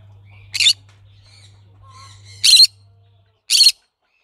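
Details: Green-cheeked conure uttering three short, harsh, grating squawks, the last two about a second apart, with faint softer chatter between them and a low hum in the background.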